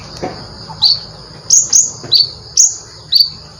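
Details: Konin singing bright, piercing chirps that flick upward, given singly and in close pairs roughly every half second after a quiet start, over a soft low background hum.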